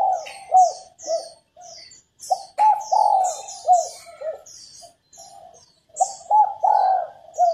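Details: Female spotted dove calling to prompt males to coo and sing, in phrases of short mellow notes ending in a longer swelling coo, with scattered high-pitched chirps from other birds.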